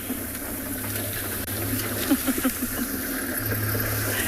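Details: A vehicle engine idles steadily with low rumbling, a few soft knocks and no animal calls.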